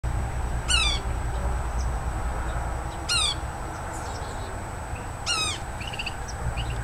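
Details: A Yellow-bellied sapsucker in a tree next to a house in Woodlawn, Montgomery County, Tennessee, gives three nasal, cat-like mewing calls, each slurring downward, about two seconds apart, over a steady low rumble.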